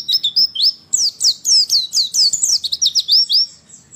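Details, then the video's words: Female white-eye twittering meant to trigger singing in sluggish males: an unbroken stream of fast, high, warbling chirps, many swooping down in pitch, over four seconds. "masteran pleci malas bunyi akan langsung respon dan emosi"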